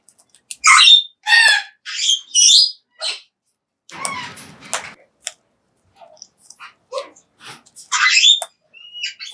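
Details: Pet Major Mitchell's cockatoo eating high-protein feed in a small room, giving loud grating squawks in quick succession, a softer scratchy stretch with low rustling, then further harsh screeches and brief clicks.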